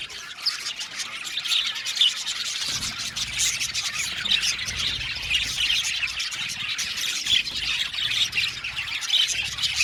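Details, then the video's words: Blue male budgerigars in a colony aviary, many birds chirping at once in a dense, continuous chatter of short squawks, twitters and warbles, with no pauses across the recording. "Beautiful Bule Male Budgies sounds | Budgies chirping sound"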